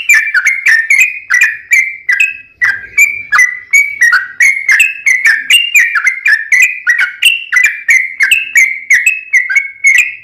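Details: Yellow-vented bulbul, an energetic singer used as a lure for other bulbuls, producing a long steady run of clicking whistled notes that rise and fall, nearly three per second.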